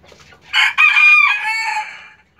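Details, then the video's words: Hen laying an egg, apparently with effort: a few faint clucks, then a loud harsh drawn-out squawk that holds steady for over a second before fading. "Gallina poniendo un Huevo"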